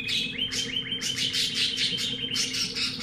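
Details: Pet-shop canary of unknown type singing: fast repeated rolling trills and bright whistled notes in a continuous run, over a steady low hum.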